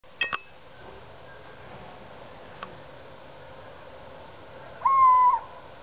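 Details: Young owl, a big bird now two months on, heard in its area; a single drawn-out whistled call holds steady then drops slightly at the end, after a couple of sharp clicks, over a constant insect-like background hiss.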